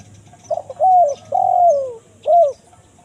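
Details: Kuk 1 mersik phrase of a spotted dove, a lure for forest wild birds: soft stuttering notes, a long smooth coo, a second longer coo falling gradually, then a short abrupt closing note, with faint chirps of small birds.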